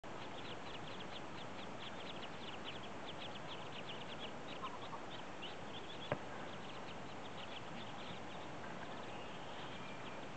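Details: Newly hatched ducklings on their first day, having hatched early this morning or late last night, give rapid, high, thin peeps in a steady stream of short repeated notes over a constant low rumbling background hiss.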